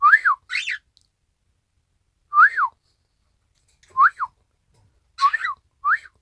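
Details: Isabel pearl cockatiel repeating its owner's whistle 'ppoiyo' indoors on 1 December 2018: clean arched whistle notes, singly and in pairs, spaced over six seconds in a quiet room.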